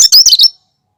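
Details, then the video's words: Cucak kinoi in natural song with no mimicked notes, meant to prompt and attract birds. A short, cut-off burst of fast, high, scratchy chirps, about half a second long. "Suara asli cucak kinoi"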